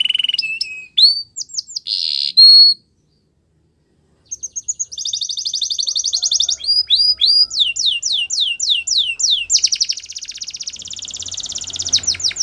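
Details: Canary song made of varied phrases: rising whistled notes, buzzy rolls near the top of the range, a pause of over a second, then fast repeated trills and sweeping downslurred notes in long runs.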